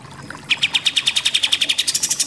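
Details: Short excerpt of pied triller song, nembak-nembak style: after a quiet start, a fast run of sharp repeated notes that grows higher and buzzier toward the end.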